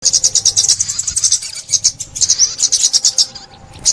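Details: Sunbird song recorded in 2021 for bird trapping: rapid, high thin twittering chirps in dense bursts, with brief pauses near the middle and toward the end; faint low hum underneath.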